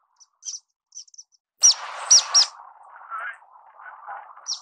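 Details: Orange-cheeked waxbill singing: scattered faint high peeps, then three loud sharp chirps over a rushing burst, followed by soft low warbling and a last high note.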